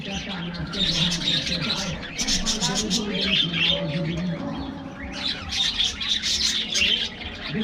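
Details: Morning in a bird aviary as budgerigars get a diet treat: bursts of loud, high, overlapping chirps and twitters come in waves, with quieter gaps, above low droning tones and hum.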